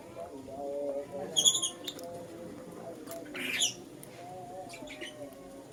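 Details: Lutino lovebird chirping in the morning: two sharp, shrill, high chirps with layered overtones, about two seconds apart, over a steady background murmur of lower warbling tones.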